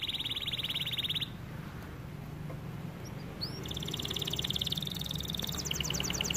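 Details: White canary giving high buzzy rolling trills in bursts, with a short pause midway, over a steady low background hum.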